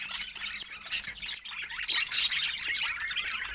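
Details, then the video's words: Several pet budgerigars playing together, giving a continuous busy chatter of scratchy chirps, squawks and warbles. "Adorable Budgies Playing Together"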